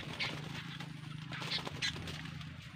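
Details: A fierce female sooty-headed bulbul gives three short, bright chirps, one early and two close together near the end, over a steady low rumble and background noise.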